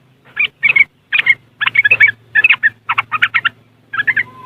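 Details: Yellow-vented bulbul (trucuk) from West Java, Indonesia, recorded on an Android phone, in riwikan style used to lure caged birds: bubbly liquid phrases in short clusters separated by brief pauses, faint low hum beneath.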